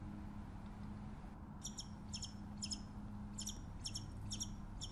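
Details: Distant Scimitar-billed woodcreeper from south-central South America delivering a steady series of thin, high double chips roughly every half second, over a constant low hum and hiss.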